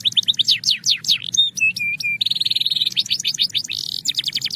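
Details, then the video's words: Belgian canary singing: varied swept whistles, a few steady pure tones repeated, a rapid buzzy roll, then more quick rising and falling notes. "Belgian Canary Singing Therapy – Calm & Clear Tones"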